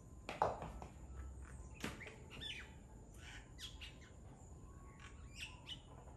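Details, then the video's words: Common myna in Nawala, Sri Lanka, on 23 October 2021 at 9:02 am, giving a string of harsh, chattering, squawky notes mixed with short whistles, loudest in the first two seconds, over a faint outdoor hum. "How does Myna bird sound ? | Common Myna Sounds| Myna calling |Myna voice"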